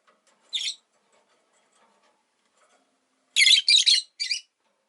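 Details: Caged pet rosy-faced lovebirds, five kept together by a window: one shrill, harsh chirp, then three close high squawky bursts after a quiet gap, with faint low background murmur.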